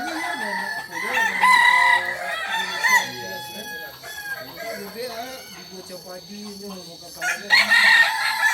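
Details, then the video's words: Tiered-crowing Kokok Balenggek rooster, native chicken of Solok, West Sumatra. A bright stepped crow sounds early on, wavering lower calls from other birds continue beneath it, and a fresh loud crow starts near the end. "Ayam kukuak balenggek ayam asli solok sumbar"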